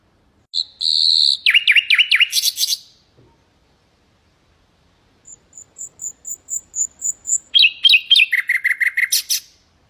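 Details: Common nightingale song, recorded for tutoring goldfinches and canaries to sing without mistakes: a high buzzy note, then a fast run of rising whistled slurs, a pause, a thin repeated high ticking, and finally a rapid chattering trill.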